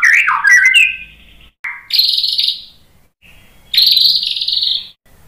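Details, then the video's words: White-rumped shama song used as a provoking lure: quick descending whistles, then two long high buzzy notes separated by short pauses. "SUARA MURAI BATU Untuk Memancing EMOSI JADI NYAUT GACOR"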